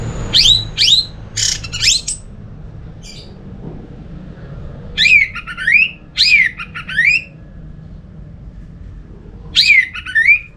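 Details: Orange-headed thrush singing to stir other thrushes: sharp high notes sliding steeply downward, given in groups of two or three, separated by pauses of a few seconds with quiet background hum.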